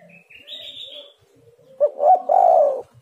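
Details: Lure recording of a spotted dove to attract other birds: a faint high thin chirp from another bird at the start, then a loud low coo phrase with short notes and a long wavering ending.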